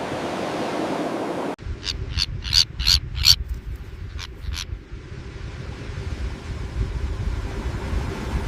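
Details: Breeding-colony common terns giving short, sharp, grating calls in a quick run of five, then two more after a pause, over low rumbling wind and distant waves.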